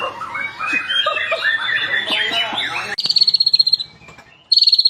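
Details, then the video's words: White-rumped shama with a long rolling delivery for tutoring captive birds: a jumbled warble gives way to a fast, even, high trill of rapidly repeated notes, a pause, then the trill resumes. "SUARA BURUNG MURAI ISIAN MEWAH // NGEROL PANJANG DAN NEMBAK NEMBAK untuk masteran murai"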